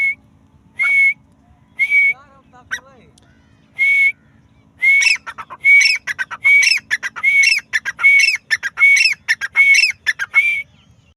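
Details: Female grey francolin, called teetar or Dakhni teetar, gives loud piercing whistles. At first they come about once a second. Later they speed into a rapid series of whistles mixed with harsh, clipped notes. A few softer twittering sounds occur early on.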